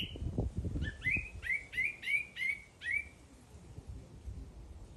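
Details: Bird singing outdoors: a series of short bright notes, each sliding up then leveling, repeated about every third of a second for two seconds, over low rumbling background noise.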